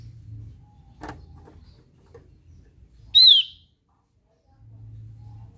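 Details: A lone bright, sharp note from a Javan grey-throated white-eye (opior Jawa), loud and slightly falling, preceded by a soft click and steady low hum in the background.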